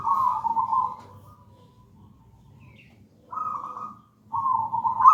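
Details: Local zebra dove, gedang rojo type, singing as a lure: a long warbled coo, a quiet gap of about two seconds, then two further trilled coo phrases, over faint low rumble.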